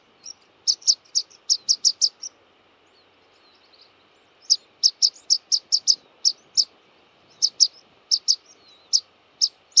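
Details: Rock pipit calling in bursts of shrill, piercing single notes, fired in runs of five to eight with a short pause between runs, high-pitched and evenly spaced against faint background hiss.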